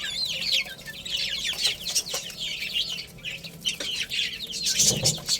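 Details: Chicks chirping during play and feeding: clear, high peeps bending downward, many birds calling at once. A louder, broader chirp stands out near the end.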